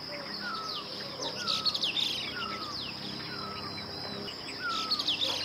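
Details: Streaked laughingthrush in Uttarakhand giving short, clear, down-slurred whistles about every second, mixed with high squeaky chirps from other birds over a steady high insect-like hiss.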